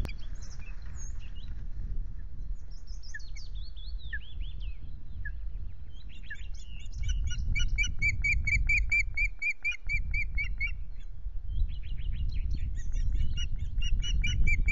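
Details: Osprey pair at their Loch Garten nest on 10 May during the first changeover of the day, still incubating two eggs; scattered high whistled notes, then rapid runs of sharp repeated chirps, over a steady low rumble.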